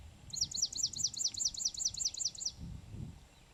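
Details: Swamp Sparrow singing in Pennsylvania: a slow, even trill of about a dozen sharp, high, down-slurred notes, roughly five per second, over low background rumble.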